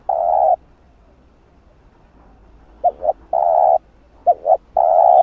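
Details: Spotted dove lure recording for enticing wild doves; low steady drawn-out coos alternating with pairs of quick short notes, giving a broken, rhythmic hooting pattern.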